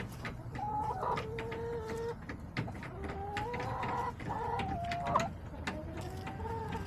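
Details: Backyard hens on October 10, 2024, giving several drawn, slightly rising calls of about a second each, separated by short pauses, with pecking clicks and low background rumble.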